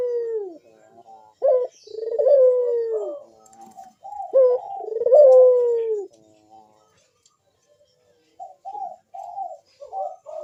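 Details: Big-voiced puter dove in manggung song, used to prompt other doves to sing: two long sliding coos, each introduced by clipped notes, then a run of soft short wavering notes.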